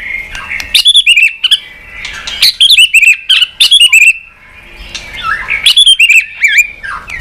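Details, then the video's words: White-rumped shama stirred to a fighting song with tail-flicking: quick bursts of sharp chattering and looping whistled notes come in three clustered phrases, separated by brief quieter gaps. "chòe Lửa đập đuôi tạch kích căng, kích Chòe Lửa hót đấu căng lửa.chòe Lửa hót giọng dài"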